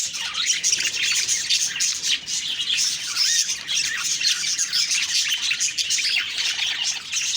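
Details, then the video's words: A morning flock of budgies gives harsh, squawking chirps and chatter, overlapping continuously at a high pitch. "Beautiful morning birds chirping sounds/Budgie sounds"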